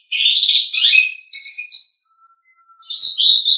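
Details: Asian pied starling song for training caged birds: loud, continuous harsh chattering and whistled notes, then a short lull with faint thin tones, and a final burst of squeaky, rasping phrases.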